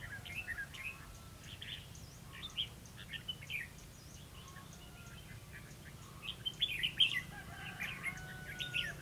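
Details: Red-whiskered bulbul during trapping on 11 November 2016 delivers scattered short warbled phrases, growing denser and louder toward the end, over a faint low rumble.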